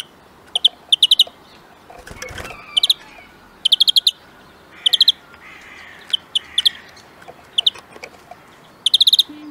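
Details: Greenfinch trilling in rapid clusters of ringing notes, some bursts doubled, with a brief rustling knock in the middle and a soft wheezy sound later.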